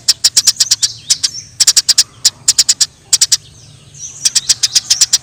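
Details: Fighting Eurasian tree sparrow in the wild: high, clipped chirps in quick clusters of three to eight, separated by short silences, with soft thin whistles heard between clusters.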